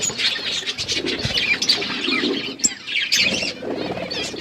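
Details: Outdoor aviary flock of budgerigars giving continuous scratchy chirps and warbles, busy overlapping calls with faint wing flutters.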